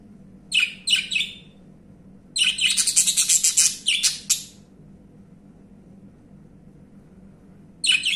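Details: Budgerigar (Melopsittacus undulatus), angry call: expressing anger or agitation.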